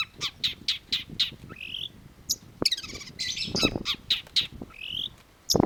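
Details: Long-tailed shrike (cendet) in lively song: rapid series of sharp high chips, a buzzy rising phrase, then a dense harsh rattling burst and more clipped notes, with low knocking thumps underneath.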